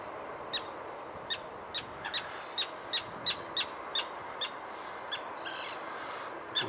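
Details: Common Terns calling harshly while dive-bombing an intruder after a chick has gone, short sharp strident notes repeated about three times a second with an uneven rhythm, breeze noise beneath.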